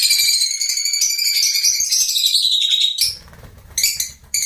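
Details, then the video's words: Lovebird chatter: a steady stream of piercing, high twittering notes for about three seconds, then quieter with a low rumbling background and a couple of final sharp chirp bursts. "Love Birds Nature Sound"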